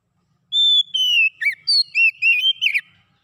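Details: Oriental magpie-robin singing, offered to coax a silent bird back into song: a steady high whistle, a descending slur, then five or six quick looping whistled notes in a bright, clean phrase.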